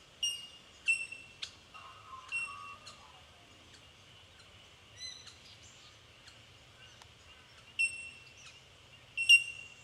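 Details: Bell miners calling in Victoria, Australia, in March 2011: ringing, bell-like pings near a steady high pitch, several birds overlapping, each note a short sharp tink with high harmonics, plus a brief lower warbling phrase.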